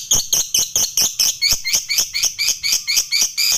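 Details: Lovebird giving a long, rapid chatter to provoke rival fighter lovebirds: steady, high, scratchy chirping pulses, about five per second, throughout.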